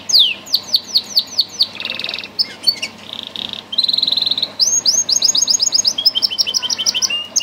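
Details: Bred song canary alternating spaced rising whistles with short buzzy rattles and a steady piping tone, then switching to quick bright repeated notes in rolling tours.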